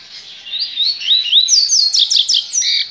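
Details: Caged Bahian double-collared seedeater from a licensed breeder: a quiet start, then looping whistled slurs climbing in pitch, followed by a quick cascade of steep descending notes and a closing sustained trill.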